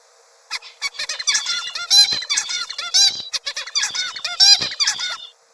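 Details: Zebra finch; tutor song; adult model song that young males copy while learning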